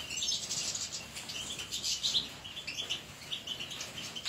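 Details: Caged European goldfinches, more than one bird, in a dense stream of high, liquid twitters and quick chirps that overlap continuously, with soft rustling underneath.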